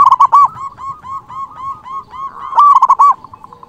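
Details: Local zebra dove singing hard to provoke rival birds; a continuous chain of quick bubbling coos rolls on for about three seconds, swelling louder near the end before stopping.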